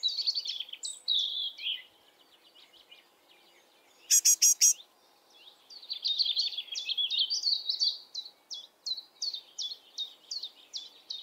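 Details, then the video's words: Young great tit, a call heard from April to the end of June: high, thin downslurred notes in quick uneven runs, a brief burst of sharp clicks midway, then a steady string of short repeated chips. "It is also worth distinguishing the sound of a young great tit, which we can hear from April to the end of June. The"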